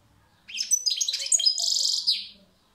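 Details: European goldfinch song phrase: quick high twitters and liquid tinkles that end in a sustained, buzzy, rattling trill before fading.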